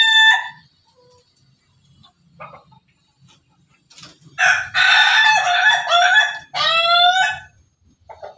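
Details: Pelung chicken crowing. A brief call opens, then a loud extended crow starts near four and a half seconds, breaks briefly, and finishes with a falling, harmonic-rich final note. A low hum sits faintly underneath.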